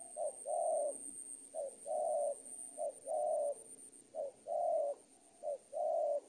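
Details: Tutoring recording of a spotted dove for bird training: five phrases of a quick short note and a longer rounded coo, spaced roughly every 1.3 seconds, over a constant thin high tone.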